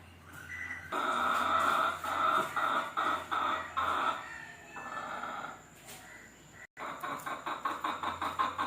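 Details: Hen calling around egg laying: a loud series of harsh, clucking cackles repeated in quick bursts, a brief pause, then another rapid run of sharp clucks.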